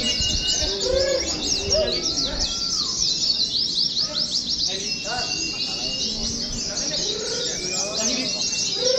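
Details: Caged Oriental white-eyes hung side by side for contest simulation sing in a nonstop high, scratchy twittering, punctuated by short lower whistled slurs.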